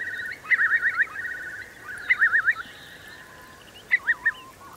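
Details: Eurasian curlews, part of a flock of about 3,000 roosting in Marquenterre's wet meadows in the Bay of Somme at high tide, 7 October 2021; three separate bursts of quavering, warbling whistles over a steady faint background hiss.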